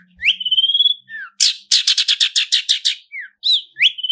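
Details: Long-tailed shrike lure song in 'roll speed' and 'roll tembak' styles: a long level whistle, a drooping note, then a fast rattling roll of about ten rasping notes, ending with rising whistled slurs.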